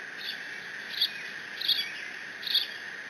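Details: Bald eagle eaglet at the Decorah nest, 30 June 2017, guarding a fish dropped off by its father with squees; three thin high chirps roughly every three-quarters of a second above constant background hum.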